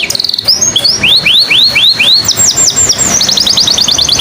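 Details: Canary song played to coax other birds, hens or males, into singing: loud, bright series of rising and falling whistled sweeps, then fast repeated high chirping trills.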